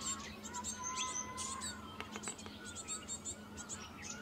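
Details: Cinereous tit (Parus cinereus) feeding its young in Himachal Pradesh: thin, high squeaky calls and sharp ticking notes come in quick bursts over a steady low hum.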